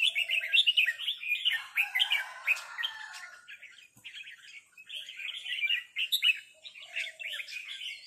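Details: Red-whiskered bulbuls answer a resident territorial bird. Steady runs of bright, chattering 'rik' notes are repeated about twice a second, with a brief lull in the middle before the chattering resumes.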